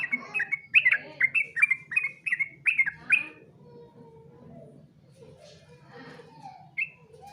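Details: Competition song of a yellow-vented bulbul: around eight rhythmic, bubbly whistled notes in three seconds, then a quiet stretch of faint chatter and one final short whistle.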